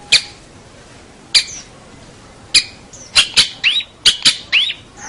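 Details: Local long-tailed shrike, a champion bird, sings sparse harsh clicks followed by a quicker cluster of notes that includes rising slurred whistles, with pauses of over a second between the early notes.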